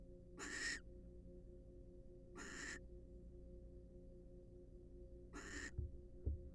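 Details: Pair of wild barn owls preening and courting in a nest box; three rasping hiss-calls spaced about two and three seconds apart, then soft low thumps, over a quiet hum.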